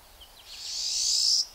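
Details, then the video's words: Pine siskin calls: a few faint high chips, then a long, harsh, buzzy zreeee that rises and swells for about a second before cutting off. "Pine Siskin Calls"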